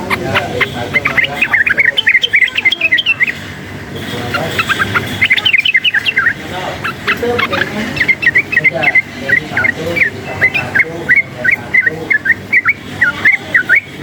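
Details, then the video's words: Wild sooty-headed bulbul roused by background noise, singing long sequences of short, bright, hooked chirps and warbles, dense at first then spaced evenly, with steady low hum and broadband noise behind. "suara bising menambah EMOSI burung TRUCUKAN ini | trucukan ngalas gacor nembak ropel uplik uklik"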